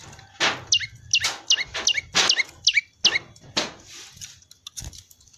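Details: Prinia "ceng" song of bright hooked chirps, each sliding sharply up then dropping, repeated about three per second, broken up by loud dull knocks and clicks close by.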